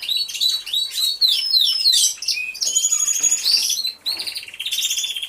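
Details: Several canaries in an aviary, recorded by a hidden camera. Quick rising whistles and chirps give way to steady high trills and fast repeated notes after a short pause.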